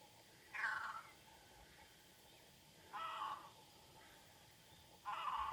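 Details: A great crested grebe (Podiceps cristatus) on the Nemunas in Lithuania gives three loud, harsh, braying calls, each about half a second long and roughly two seconds apart, over a quiet background.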